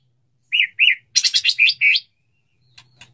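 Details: White-rumped shama male wooing a female: two rounded whistled notes, then a quick rush of bright chirps and a final hooked whistle, with faint clicks afterwards.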